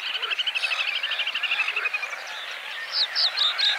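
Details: A little grebe (Podiceps ruficollis) singing on a lake in spring gives its fast, high whinnying trill, about two dozen notes in two seconds, fading slightly, followed by a few sharp chirps from another bird.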